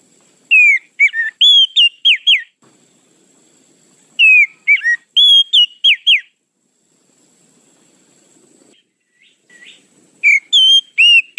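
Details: Oriental magpie-robin lure sound, described as the fastest: three repeated phrases of bright, varied whistles with downslurs and short chips, spaced about four to five seconds apart, and quiet gaps between them.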